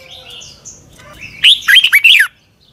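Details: Red-whiskered bulbul of Thailand giving one doubled phrase of clear whistled syllables, rapid and slurred up and down, after soft background twittering; a recording meant for young birds to learn from.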